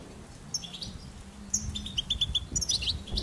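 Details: Goldfinch song: sparse high twittering notes at first, then a quick run of five sharp repeated chips near the end, over a low steady hum.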